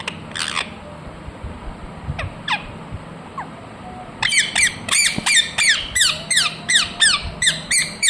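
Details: Ringneck parrot, a talking bird: a few scattered harsh notes, then from about four seconds a steady, rapid string of loud, grating squawks, roughly three per second.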